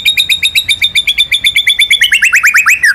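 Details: A champion white-rumped shama delivering a rolling phrase meant to spur other birds into song: a fast, even series of about twenty high chirped notes, climbing slightly and speeding up before a final falling note.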